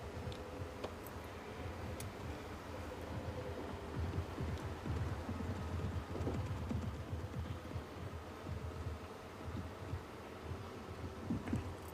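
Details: A steady low vehicle engine rumble with some rustling, and no clear animal calls.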